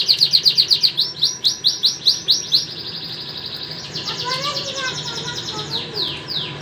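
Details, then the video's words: White canary and crested canary in song, opening with loud evenly pulsed chirps about six per second, then softer high rolling trills with some lower warbled notes. "White canary and crusted canary are signing very nice"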